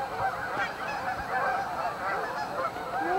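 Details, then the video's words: Staging flock of Canada geese on Amber Trails Lake, Winnipeg: a busy wall of nasal honks, with a clearer rising honk near the end. "Canadian Geese Staging Area - Amber Trails Lake, Winnipeg"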